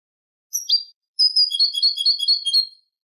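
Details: European goldfinch singing Malaga-style song meant for young birds to learn: a short twittering note, a brief pause, then a fast run of liquid, tinkling chirps repeated roughly twice per second for over a second, with no other sounds.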